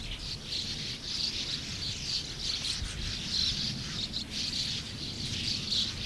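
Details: Continuous massed twittering from a sand martin colony numbering more than 100 birds, rasping chirps layered thickly and rising in brief bursts, with a low-pitched rumble underneath.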